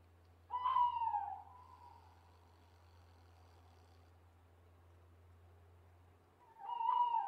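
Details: Owl hooting at night: a quavering wavering hoot followed by a long falling tail, then a second similar hoot about six seconds later, over a steady low hum.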